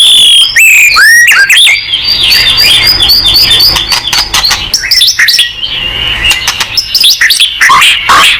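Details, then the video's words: White-rumped shama (murai batu) in lively gacor singing: loud, rich, fast-changing whistles, trills and sweeping slurred notes in a continuous high-pitched stream, with sharp clicks and rapid phrase changes. "MURAI BATU GACOR"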